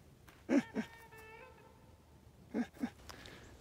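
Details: A couple of trumpeter swans that just flew by and two others trumpeting downriver give paired distant, nasal, horn-like honks, with a thin steady whistle between them; St. Croix River, Wild River State Park, on an unseasonably warm January day.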